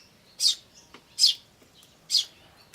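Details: Eurasian tree sparrows, chicks and adults, recorded in May 2013: three loud piercing chirps spaced roughly three quarters of a second apart, with faint softer notes between them.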